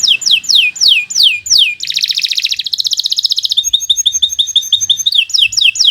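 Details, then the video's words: Canary singing steadily as a tutor for young birds: five descending whistled swoops, a dense buzzing roll, a bright pulsing trill of bubbly notes, and more falling whistles at the close. "Kicau Burung Kenari 116 II GACOR PANJANG"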